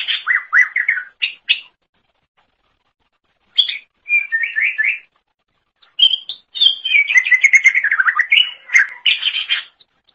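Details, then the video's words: Greater green leafbird singing vigorously as a master recording for songbirds: quick warbled phrases separated by pauses, building into a long rapid stream of trills and slurred whistles. "Kicauan Super Cucak Ijo Gacor Untuk Masteran"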